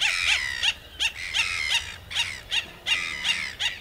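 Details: Red-gartered coot from Chilean lakes and lagoons, a swimmer and diver feeding on water plants; sharp nasal notes with a falling tail, repeated about three times a second in an uneven series.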